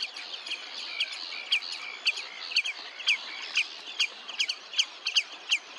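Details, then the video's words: Red-necked phalarope, Olafsvik, Iceland, 15 June 2024: a steady string of sharp, high, clipped notes at uneven intervals over a soft background hiss. "Grauwe Franjepoot / Red-necked Phalarope"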